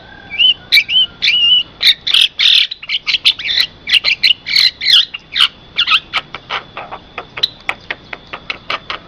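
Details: Javan myna song used to lure mynas and train caged birds. Wavering whistled notes open a fast, chattering stream of harsh clicks and buzzes, thinning into sharp ticking notes, over a faint constant high tone.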